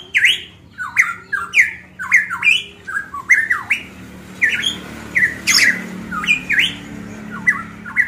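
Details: Golden myna from Manokwari, Papua, pours out loud ringing whistles and harsh squawks, each phrase bending up and down, about two every second, over a faint indoor hum.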